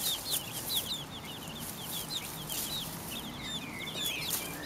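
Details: Pekin bantam chicks, four weeks old, forage in a garden beside their silver laced Wyandotte mother, giving a dense stream of loud, high, downslurred peeps, several chicks overlapping almost continuously, with soft rustling beneath.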